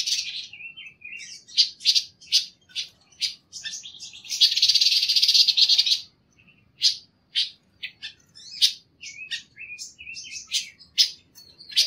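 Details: Panca warna song used as training material: fast high chirps and short twittering notes, a long loud buzzy rattle lasting about two seconds, then more quick irregular chirps and whistles; quiet background.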